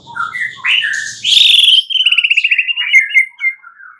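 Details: White-rumped shama at night, played to encourage singing; a few rising whistles lead into a loud rapid rattling trill, then slower fading whistled notes.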